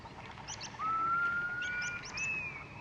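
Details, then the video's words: European golden plover, a small wader, calling in the background of a 2021 curlew breeding-season recording in the UK: two plaintive, drawn-out whistles, a lower slightly rising note then a higher one, with faint chirps from other birds. "Yeah, the golden plover's in the background, 2 notes."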